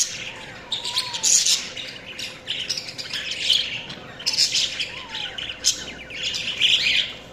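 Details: Several budgies chatter in harsh, squawky bursts that come in waves every second or two. Brief low whistles curve downward between them over a constant faint hum.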